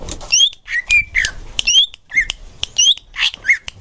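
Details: Tutor recording of green leafbird song aimed at young birds: fast alternation of bright whistled slurs and rough chattering notes, sharp and energetic throughout.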